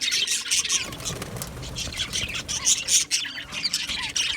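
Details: Budgerigar colony in an aviary, many birds chirping together in a dense, continuous high-pitched chatter with short squawks and scratchy notes overlapping throughout.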